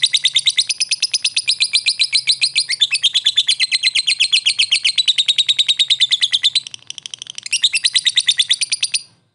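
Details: Lovebird giving ngekek and ngetik sounds as a lure to provoke fighter lovebirds; long, loud, rapid shrill chatter with a brief dip in intensity, then a renewed higher burst before stopping abruptly.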